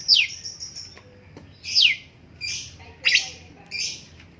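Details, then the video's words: Cucak cungkok bulbul giving a few loud, high, steeply falling chirps and softer buzzy notes, spaced about a second apart, over faint background hiss. "BURUNG CUNGKOK MASTER SUARA BAGUS JEDA"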